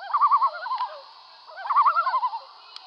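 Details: Common loons on Swains Lake, seen from a kayak while fishing on 27 August 2014: two bursts of rapid, wavering, laughing tremolo notes, each about a second long, separated by a short pause.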